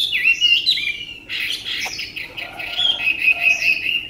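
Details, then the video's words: Chinese hwamei, a tame bird noted for its beautiful voice, pours out loud warbled phrases. Slurred whistles are followed by a dense burst of notes, ending in a steady, high, trilled whistle. "họa mi ccdv1121 thuần đẹp giọng hay quá"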